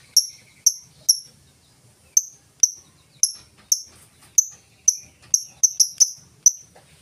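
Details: Lovebird ngetik song intended to prompt other lovebirds to sing: sharp, high clicking ticks at an irregular pace, speeding into a quick cluster near the end.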